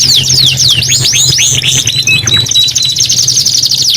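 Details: Kenari gacor canary song: sharp descending whistled slurs that give way to a fast, even, buzzy high trill, with a low hum underneath.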